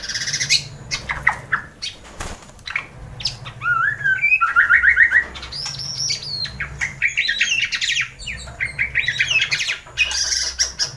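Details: White-rumped shama in a morning training recording meant to set off singing: busy mix of clear whistles, short rising and falling phrases and a run of rapid bubbling notes, with sharp chips and clicks scattered throughout.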